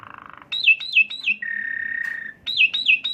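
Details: Asian pied starling song serving as a lure to excite another bird: a low buzz, three falling whistled notes, a long steady buzzy tone, then three more falling whistles.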